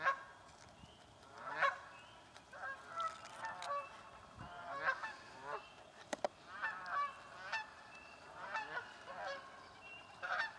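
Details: Canada geese fighting over nesting spots in a swamp, giving loud harsh honks in irregular bursts, several birds overlapping with brief gaps of quieter background between outbursts.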